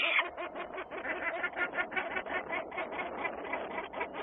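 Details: Peregrine falcons at Włocławec, Poland, recorded on a Sunday afternoon, 6 June 2010, give a rapid, harsh chatter. The short grating notes run about seven per second without a break, over a muffled background.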